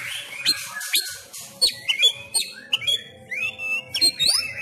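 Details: Caged white-rumped shama of Sumatran stock, trained at home, singing a fighting-style song of upward-sweeping whistles, sharp high pips and fluttering phrases separated by brief gaps, with a low hum in the background.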